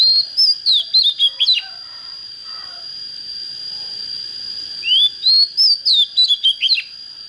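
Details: An oriental magpie-robin just coming into form sings two bursts of bright whistled notes, one of them a rising glide into rapid, choppy, falling phrases. A continuous shrill whine runs underneath.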